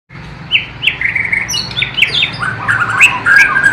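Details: Borneo white-rumped shama from East Kalimantan, its song filled with imitations of the flycatcher called sikatan londo and the nightingale. Bright whistled phrases, rising and falling slurs and sharp high notes come in a quick varied stream with faint low hum.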